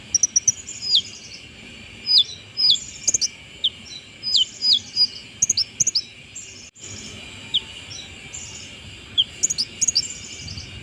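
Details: Brown-throated sunbird singing after moulting, likely a kept bird: thin, high, sharply down-slurred chirps and short twittering bursts in loose clusters, with a pause midway before the chirps resume.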